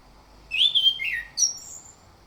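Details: Clear morning song of an orange-headed thrush, used as a lure to prompt singing: a loud sweeping whistle that falls into a lower slur, then a short high note and a thin whistled tail.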